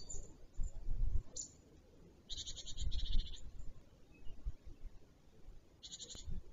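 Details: Black stork male, the first to reach this nest in the Notecka Forest at Wolsztyn, late morning of 2 April 2023: harsh, bleat-like pulsed bursts in three or four groups over six seconds, amid low wind noise.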